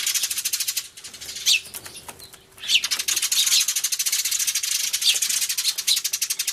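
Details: A flock of sparrows crying hard, recorded 24 March 2013 on a camcorder with a turtledove present; a steady, rapid pulse of high chirps, broken briefly by a quieter gap before resuming at full intensity.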